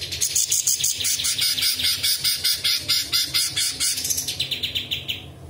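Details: Cucak cungkok bulbul pours out a dense, fast run of high, buzzy chattering notes, several per second, mimicking small birds, large birds and insects, including cucak jenggot and balang kerek phrases; no other sounds stand out.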